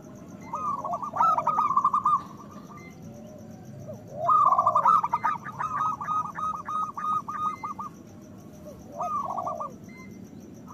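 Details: Loud local zebra doves sing to raise breeding desire in other doves and coax quiet birds into singing. Fast rolling bursts of bubbling coos overlap with lower, slurred, downward notes, including one long stretch of repeated rolling notes, over a steady low hum.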